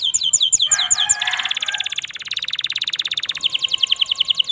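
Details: Canary song in sunny afternoon weather, opening with quick down-slurred whistles, then a long fast rolling trill of evenly repeated notes before more swooping whistles. A brief rough noise sounds near the start.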